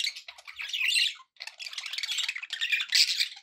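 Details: Happy budgies chattering at home: rapid buzzy, scratchy warbles and squawks in two long bursts separated by a short silence.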